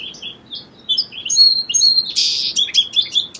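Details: Song sparrow: thin whistled notes, a sustained clear tone, then a loud rasping buzz and a string of short quick notes, all bright and high.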